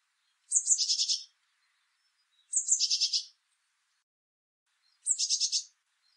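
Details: Eurasian blue tit (Cyanistes caeruleus), song.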